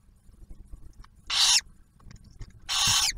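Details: Barn owl at a nest camera near Oak Harbor, Ohio, on Ottawa National Wildlife Refuge, where the male brings food and the female shares a meal with the first owlet; two harsh, hissing screeches, each about a third of a second.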